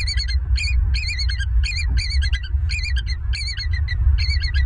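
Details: Bald eagle at a Southwest Florida nest, live-camera recording from early morning, 16 November 2022: rapid runs of thin, piping, slightly wavering notes in quick sequence, almost continuous chattering, with heavy low-pitched wind or mic rumble underneath.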